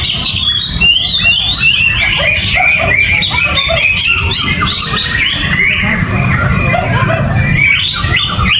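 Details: Uncovered caged greater green leafbird, no banana, delivering gerabakan song: continuous busy warbling of quick slurred whistles and twittering notes, with constant low-pitched noise underneath.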